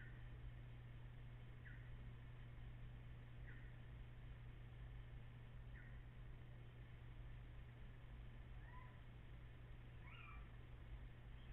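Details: Little owls, possibly two birds calling at once, on 14 April after 04:56 before dawn; faint short mewing calls repeat about every two seconds over steady low hum, with echo present.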